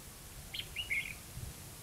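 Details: Red-whiskered bulbul lure bird at a trapping site in Hòa Mạc, Hà Nam, singing competitively: one brief phrase of three clear, slurred whistled notes, fairly quiet against a soft low background hum.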